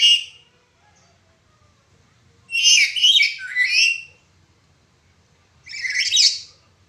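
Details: Black-capped lory calling with a cracked voice, meant as a training recording for other birds. Harsh grating screeches: a brief one at the start, a long two-part burst near three seconds, and another around six seconds.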